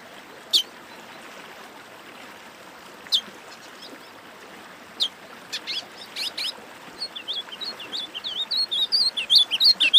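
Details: Sporophila americana warm-up song for training birds: isolated sharp chips and clicks at first, building into a quickening stream of high, looping warbled notes that grows louder over the last three seconds.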